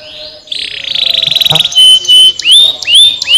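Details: Canary song used to stimulate lazy canaries to sing: a loud buzzy rapid trill for about a second, then a sustained pure whistle, followed by a series of sharply rising whistled sweeps repeated roughly every half second.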